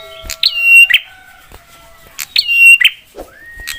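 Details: Prinia singing a sharp, provoking song that spurs other prinias to answer: two strong phrases about two seconds apart, each a sharp click, then a level piercing whistle closing with a harsh buzz.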